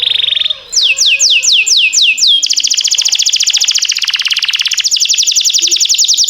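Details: Canary song played to train other canaries to sing: a steady high whistled note, then a run of about six sharp downward-sweeping notes, then fast, even, buzzy rolls of rapid repeated notes that fill the rest.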